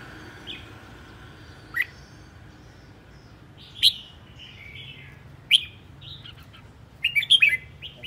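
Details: Red-whiskered bulbul kept as an aggressive decoy bird, spinning around restlessly; scattered short bright chirps spaced a couple of seconds apart, ending in a quick warbled phrase of several notes, over a low steady hum.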